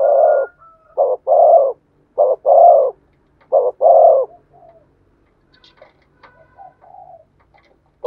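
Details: Spotted dove song of the 'thổ sấm' voice type, sung in 'thúc gù' cooing. Low, rough coos come in quick groups: a short note followed by a long, drawn-out rolling one. Quieter soft murmurs follow.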